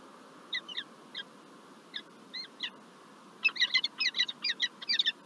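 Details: Peregrine falcons at the Lublin, Poland nest, 9 March 2024, the day the first egg appeared and the male came bearing a gift; scattered shrill chips over low rumbling noise, then a rapid cluster of calls.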